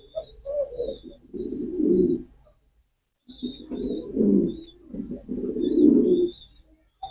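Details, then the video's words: Low, burbling pigeon coos from a male come in two stretches broken by a silent gap, with constant sparrow-like chirps high above. "pigeon call and sound effect,কবুতরের ডাক।"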